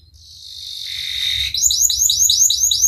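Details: Canary singing in the Cengkok Mewah style, a recording meant to coax canaries into singing: a high buzzy rattle swelling over about a second and a half, then fast rising-and-falling whistled notes repeated several times a second.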